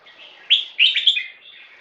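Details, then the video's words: In a loudness test, a caged crossbreed bulbul, 75% Red-whiskered and Stripe-throated, 1.5 years old, delivers one short, bright song burst: three sharp, rich notes rising out of a soft murmur. "Loudness test"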